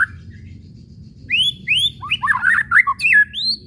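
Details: White-rumped shama whistling and chattering used to make shamas sing: after a quiet start, two rising whistled upslurs lead into a rapid jumble of chattering notes and a final rising whistle.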